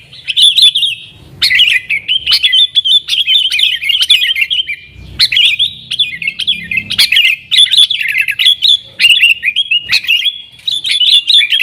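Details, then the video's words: Yellow-vented bulbul singing energetically in 'nggaruda' style, used to attract wild sooty-headed bulbuls: loud bubbling, chattering phrases of quick liquid notes, in bursts of one to three seconds separated by brief gaps. "TRUCUKAN GACOR Nggaruda Super Ampuh Untuk Suara Panggilan Burung Kutilang Liar"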